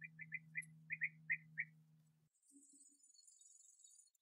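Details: Bee-eaters bringing food to young at their last nest burrow on 8 August 2017, sunny and 21°C; a short series of quieter burry notes over a low engine-like hum, then a soft high hiss.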